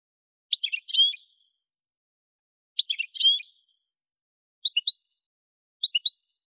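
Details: Algerian goldfinch from Kef El Hammam, Souk Ahras, Algeria, giving two bright tinkling twittered phrases about two seconds apart, followed by short triple chirps, in a quiet setting.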